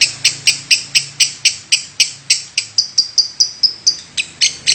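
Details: Sharp, high chirps from a lovebird's nonstop 'batuk' (cough) call, around three to four a second, with some notes turning into thin whistles late on.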